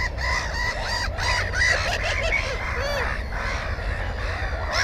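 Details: Black-headed gull at its nest holding one egg and one chick, filmed close with a GoPro 4: harsh, nasal, arching calls repeat over a dense colony chorus, with steady low rumble underneath.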